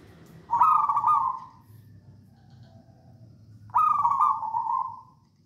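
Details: Local wild Javanese zebra dove (perkutut) in full song gives two rolling, trilled coos about three seconds apart, each starting sharply and trailing off over a second, over a low background hum.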